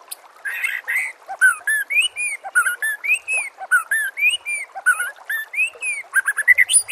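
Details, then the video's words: Murai batu, the white-rumped shama, in a song for training captive birds: continuous varied phrases of arched whistles and quick chirps, closely spaced, over faint running water. "MASTERAN SPESIAL TAHUN INI AUDIO JERNIH KOMPILASI MEWAH UNTUK SEMUA JENIS BURUNG MURAI BATU"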